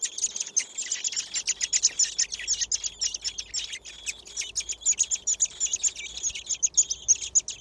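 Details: Thrush nestlings, six in one garden nest, beg while being fed by their parents. Continuous shrill, high-pitched chirps pour out in fast overlapping pulses for the whole stretch, loud and unbroken.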